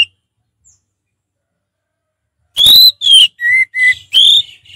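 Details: Orange-headed thrush, kept as a caged bird, singing loud clear whistled phrases: a few rich slurred notes near the start of the burst, then several shorter lower whistles, about five notes in under two seconds after a long silence.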